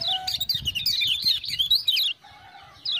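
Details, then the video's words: Lemon-bellied white-eye (kecial kuning) in full song after being stirred by ciak-ciak sounds: a dense, fast burst of high wavering chirps for two seconds, a short pause with faint tones, then chirping resumes. "Kecial Kuning joss gacor"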